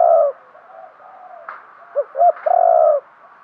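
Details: Caged spotted dove used to lure wild doves. The tail of a long coo, a quiet gap, then two short clipped notes and another long, smooth, slightly descending coo.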